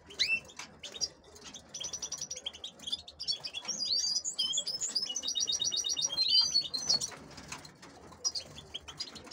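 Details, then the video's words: Canary hens kept for crossing with goldfinches give high, rapid twitters and rolled trills, with several birds chirping over one another in a busy, high-pitched chorus. "canarias que tengo para hibridar con Jilgueros"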